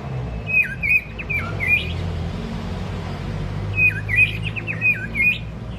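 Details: White-rumped shama long-voiced song, used in training to excite weaker birds: two bursts of high whistles mixed with fast downslurred chirps, separated by about two seconds of quiet, over steady low hum.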